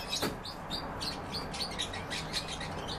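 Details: European bee-eater calls come as distinct short chirped notes, a few per second with brief gaps between them, over a soft low hum.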